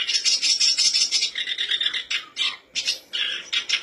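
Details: Black-browed reed warbler song played as a lure to get birds singing: dense, harsh churring phrases of fast notes, broken by brief pauses near the end, with abrupt changes in pitch.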